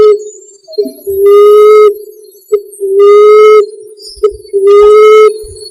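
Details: Emerald dove call played to lure birds, three drawn-out, steady low hoots in regular succession, each about three-quarters of a second long, with faint clicks between.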